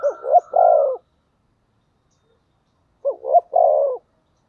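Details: Decoy spotted dove, thổ voice style, calling to lure wild birds: two identical phrases three seconds apart, each a pair of short hooked notes and a long grating coo, in otherwise quiet surroundings.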